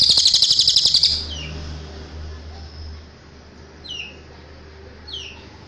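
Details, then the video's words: Cililin as a tutor recording for caged birds: the tail of a fast high trill, then a few thin, descending whistled notes spaced over the following seconds, with faint background hum. "MASTERAN CILILIN suara asli jernih"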